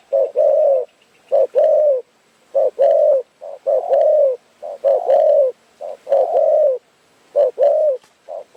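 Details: Repeated crowing of a Spotted Dove in Phrae, Thailand, heard during a wait for birds at a trapping spot; steady phrases of a brief coo then a longer, slightly falling hollow note, over and over.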